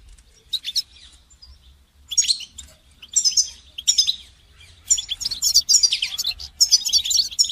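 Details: Song-training recording of a goldfinch: sparse high chirps at first, then louder bursts of rapid tinkling twitters that build into a near-continuous jangling warble toward the end.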